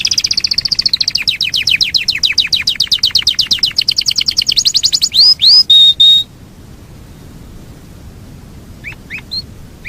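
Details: Yorkshire canary rolling at length: a quick repeated-note trill descending in pitch for several seconds, a few loud whistles, then quiet with soft calls.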